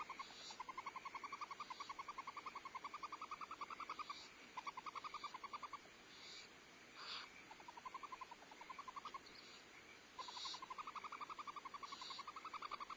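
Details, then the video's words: Barn owl family at a Starr Ranch nest on 14 February 2011, the female feeding owlets while the male brings prey and steps on her to bond: repeated rapid trains of chittering notes broken by brief breathy hisses, continuing throughout. "Starr Ranch Barn Owls: 2011-02-14: Feeding owlets, prey delivery, bonding, loud noise"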